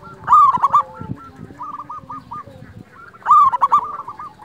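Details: Wild local zebra dove cooing, a lure recording meant to provoke and excite other doves. Two strong bubbling coo bursts three seconds apart, each trailing into a row of short repeated notes, with light low noise.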